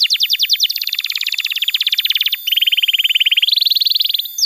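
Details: Canary song for tutoring juvenile birds and coaxing stalled singers, made of continuous tours: quick downward-sweeping notes into a dense mid-pitched trill, then a steady even rolling trill and a slightly higher trill to finish.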